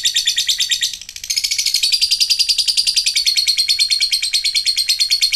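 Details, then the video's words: Lovebird giving a long ngekek song: a dense, rapid chattering trill of high, buzzy notes, pulsing about every quarter second with a brief dip near the one-second mark before running on steadily. "ngetik ngekek panjang jadikan Lovebird macet aktif ngekek lagi"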